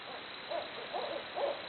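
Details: Barred owls hooting: three soft, short hoots spaced roughly half a second apart, heard faintly against a hissing background.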